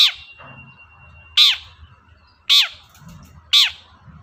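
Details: Long-tailed shrike recording meant to prompt a quiet shrike to sing: loud, rasping downslurred screeches about once a second over a low rumbling background.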